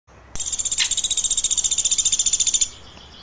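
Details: Woodpecker chirping: one rapid run of about twenty-five high, buzzy notes at roughly ten per second, lasting just over two seconds, then near silence.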